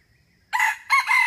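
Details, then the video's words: A wild red junglefowl rooster gives a short, harsh crow in two bursts under a second, strongly harmonic with a brief gap; recording used as a lure for trapping junglefowl. "tiếng gà trống rừng rung ực"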